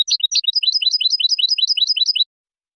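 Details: European goldfinch singing clean song for teaching young birds and contests: continuous fast twittering, evenly repeated bright notes for about two seconds, then silence.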